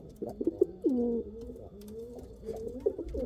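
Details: Rampuri and Kal Cheeni pigeons cooing: a stronger drawn-out, falling coo after quick stuttered notes, then softer overlapping low phrases from other birds.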